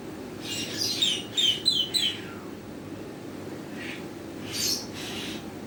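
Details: Rainbow lorikeet calling in a rapid burst of shrill, piercing screeches in the first two seconds, some sliding downward, then quieter pauses broken by two more harsh, hissing squawks against a constant low rumble.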